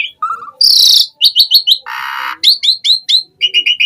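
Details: Asian pied starling singing in chatty gacor style, full of isian filler phrases: short whistles and a soft descending trill, a loud harsh buzz, a broad rasping burst, then series of sharp downslurred whistles repeated about every quarter second.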